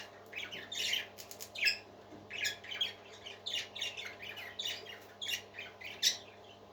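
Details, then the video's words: Several parakeets singing together, a busy run of quick scratchy chirps roughly eighty notes a minute, uneven in rhythm, soft but persistent, with a low electrical hum below. "Happy Parakeets Singing"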